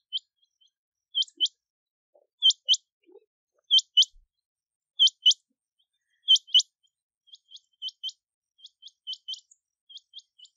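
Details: Regular metallic chrink-chrink doublets from a rain quail, loud high paired notes repeated evenly about once a second, then a run of quieter, quicker pairs.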